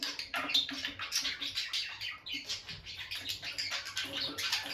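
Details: Peach-faced lovebird couple kept as pets, staying close by the nest box; rapid steady chatter of high buzzy chirps, near-continuous and fairly loud, with a soft low hum underneath.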